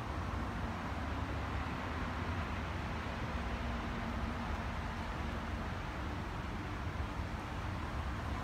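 Steady broadband rumble of road traffic and engines, with no animal voice standing out.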